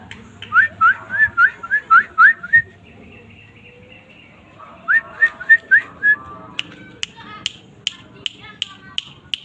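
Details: Asian fairy-bluebird singing energetically: a run of about eight clear, liquid whistled notes, each sweeping upward. A brief pause follows, then a second shorter run of similar rising whistles, ending with a series of sharp dry clicks.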